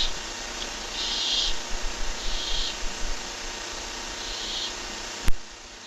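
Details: Barn owl nest cam, strange sounds: three high, husky hissing bursts about a second apart, fading in strength, with soft tapping and a loud click over continuous low noise.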